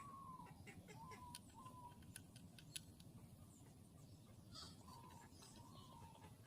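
A parrot gives short, nasal, slightly wavering whistled calls, about one every second, over a steady low rumbling background and a few sharp clicks.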